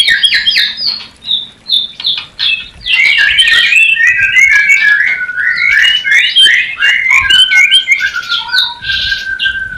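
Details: White-rumped shama mating song for newly paired birds: bright high whistled phrases, then a long rapid sequence of looping notes, ending in level whistles and a buzzy note.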